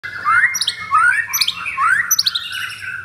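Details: Caged, leg-ringed white-rumped shama in Jakarta, Indonesia, in active 'pastol blorok' style song: clear rising whistled sweeps repeated about every 0.8 seconds, with bright high chips between them and a low steady hum behind.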